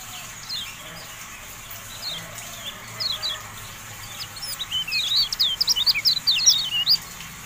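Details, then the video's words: Sparse high chirps from a Javan white-eye grow into a rapid, loud twittering series of up-and-down notes. The recording is meant to tutor caged birds. "MASTERAN TERBARU KECIAL KUNING"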